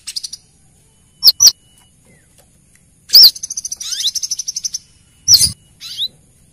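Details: Lure sound of a female brown-throated sunbird calling the male: paired loud sharp chips, a burst of rapid high ticking trill with slurred whistles, and a final strong chip and rising note.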